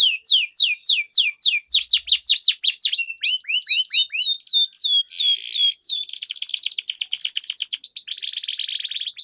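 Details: Duelling canaries with a long rolling song, played to coax silent birds into singing and to train competition birds; fast runs of high downslurred notes give way to a buzzy roll and dense, rapid trills.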